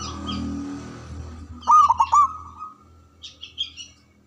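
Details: Local Javanese zebra dove with a big, loud voice: after low background rumble, one short burst of rapid stuttering coos, then faint high chirps from other small birds.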